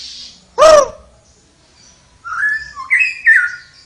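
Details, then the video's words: Flowerpecker in energetic song: a single loud, coarse downward-bending note, then after a gap three high thin whistled slurs, rising and dipping in rapid succession. "suara burung tledekan gacor"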